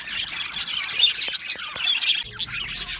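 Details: Budgerigar colony in an aviary: high, scratchy chirps and squawky warbles roughly once a second among softer background twitter, with a brief dip in the chatter near the end.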